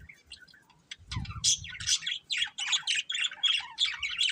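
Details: A breeding pair of budgerigars: scattered tweets, then loud scratchy chattering chirps repeating about every third of a second, with a low rumbling knock early on.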